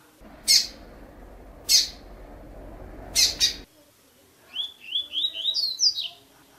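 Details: Captive blue-black grassquit used to stimulate or teach another bird for the new season: three sharp high buzzy notes over background hiss, then a quick run of rising whistled slurred notes ending in higher twisted phrases.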